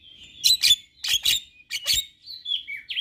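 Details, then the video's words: Male white-eyed Javan myna calling: harsh, clicking bursts in quick pairs, then thin whistled notes sliding up and down. "Jalak Apapun Seketika Ikut Bunyi Dengar Suara Jalak kebo Jantan Mata Putih Ini"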